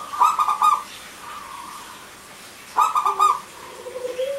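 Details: Zebra doves, local birds, male and female, singing in a clear crystal style as a lure for silent doves: two clusters of four quick ringing coos about two and a half seconds apart, with softer sustained tones and a faint rising note.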